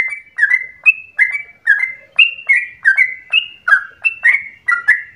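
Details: Lively, bubbling yellow-vented bulbul song, used to encourage other bulbuls to sing long and fast; quick whistled notes rise and fall in rapid succession, otherwise quiet.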